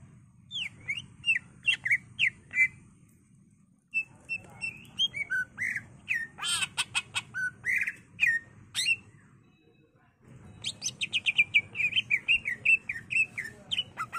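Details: A highly excited greater green leafbird sings its full repertoire, used as a lure and training recording for other leafbirds: rapid bursts of varied whistles, chirps and sharp mimicked notes, pausing briefly between phrases; a low hum runs underneath.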